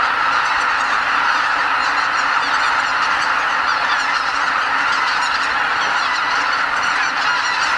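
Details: Greater white-fronted geese departing their roost en masse before sunrise at Lake Miyajimanuma, Bibai, Hokkaido, Japan, during spring migration, about 80,000 birds; a dense, even chorus of overlapping high-pitched honks and cackles.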